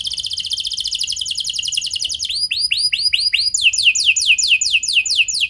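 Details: Canary singing a luxurious, long-burst lure song meant to draw replies from other canaries: a fast fine rattle, then arched swooping notes, then a run of loud falling whistles repeated several times a second.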